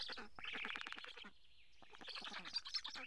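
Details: Black storks being fed fish at a nest in Karula, Estonia, recorded by a live camera on 8 July 2017. Quick raspy pulse trains, then a thin drawn-out whine, then more scratchy pulses.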